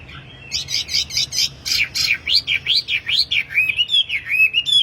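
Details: Lively, tame wambi whose song serves to lure and tutor caged birds of its kind: quick harsh chirp bursts, then rhythmic, rolling whistled phrases repeated about twice a second.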